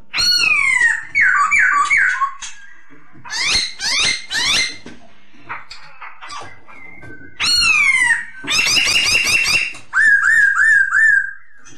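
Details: Masked laughingthrush song used to train other birds: a fast, varied stream of loud phrases, mixing falling whistles, harsh buzzy bursts and rapid wavering trills, delivered in several dense runs separated by short pauses.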